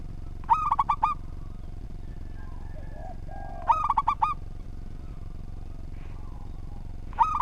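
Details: Actively singing local zebra dove with an orderly song, recorded as a tutor for other birds. Three phrases of quick ringing coo notes about three and a half seconds apart, soft low coos between, steady background hum.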